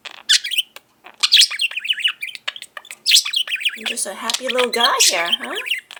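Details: Indoor pet budgerigar, a five-year-old male, gives sharp high chirps and scratchy warbles, then a longer run of lower, voice-like wavering syllables imitating speech.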